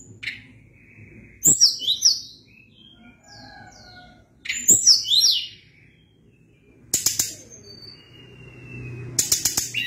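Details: Sunda blue robin in full rolling song: repeated phrases of very high, zigzagging cascading notes with whistled tails, and sharp clicking bursts near the end.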